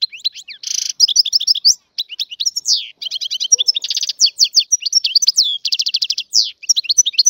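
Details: Wild European goldfinch, described as Algerian, in full sustained song: varied high tinkling notes, a harsh buzzy burst, rapid trills and slurred descending whistles, nearly unbroken throughout.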